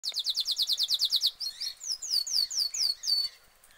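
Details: Caged canary singing: a fast, even trill of about a dozen high descending notes, then slower, longer, downward-sweeping whistles before fading out.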